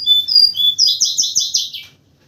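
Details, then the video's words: White-crowned forktail calling energetically in the morning as a lure: two clear high whistles, then a rapid series of about six harsh buzzy notes that trail off into silence. "pancingan burung tledekan gunung gacor di pagi hari"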